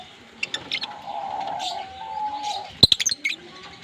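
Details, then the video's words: Pair of green Fischer's lovebirds kissing and chirping: short high squeaky notes, then a quick burst of sharp shrill chirps, with a long steady whistled tone running underneath. "Lovebird Singing & Chirping Sounds - Green Fischer Pair"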